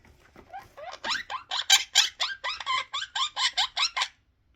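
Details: A pet male Quaker (Monk) parakeet, frightened indoors by an unfamiliar object, apparently a guitar, gives a rapid run of harsh, rising fear squawks, about three per second.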